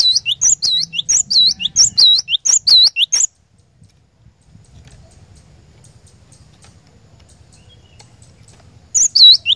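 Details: Cinereous tit song used as a lure to make caged birds sing nonstop. Quick high whistled couplets run for about three seconds, then near silence with soft low background noise before the phrase resumes at the very end.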